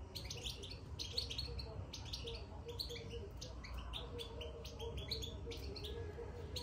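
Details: Soft bitbita twittering of a caged European goldfinch newly placed in its cage: dense runs of quick high chirps and buzzy trills, nearly continuous, with low background hum beneath.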